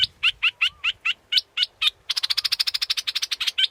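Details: Scarlet-backed flowerpecker: evenly spaced piercing chips, each about a third of a second apart, followed by a rapid, buzzy rattle.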